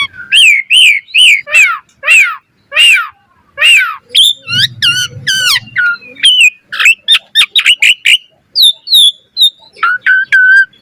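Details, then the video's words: Asian pied starling training song for other starlings: repeated chevron-shaped squawky whistles, then quick chattering clicks and varied short whistles, ending with lower whistled notes. "Jalak Suren Gacor Full Isian Cocok Buat Masteran Suara Burung Jalak Agar Gacor Full Isian Mewah"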